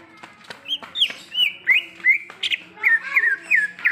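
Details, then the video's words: A wild greater green leafbird sings a varied run of whistled notes, some arching, some rising, with faint background chatter from other birds. "Suara Asli Cucak Ijo | Suara Alam Cucak Ijo"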